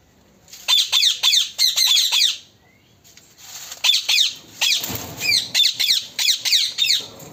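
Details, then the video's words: A talking parrot utters fast runs of shrill, downward-sweeping screeches, roughly three per second, broken by a brief pause midway. A faint thump is heard in the background. "Talking Parrot"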